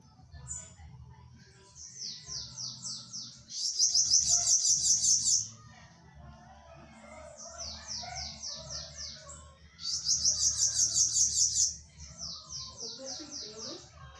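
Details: A bananaquit sings very high, thin, sputtering phrases, likened to little giggles, that break into dense buzzy trills.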